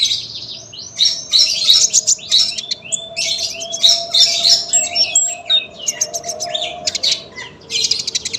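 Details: Sunbird singing a long, tightly packed song for tutoring other birds: rapid high twittering and scratchy chirps in near-continuous bursts, with a faint steady hum beneath.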